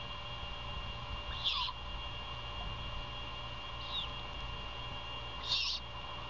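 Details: Mother great horned owl feeding her owlet early in the morning at a Savannah nest in an abandoned Bald Eagle nest, 21 February 2022; three short hissing screeches, the middle one faint, spaced a few seconds apart, over a low hum.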